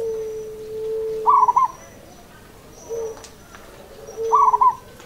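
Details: Zebra dove, a local bird, giving two trilled, rolling coo phrases three seconds apart. Brief lower tones and a thin high whine are also heard.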